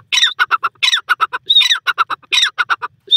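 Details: Grey francolin, locally called Bhura Teetar, from wild Pakistan: harsh, squawky phrases repeated roughly every 0.7 seconds. Each phrase is a loud rising screech followed by three or four short clipped notes, and a thin pure whistle cuts in twice.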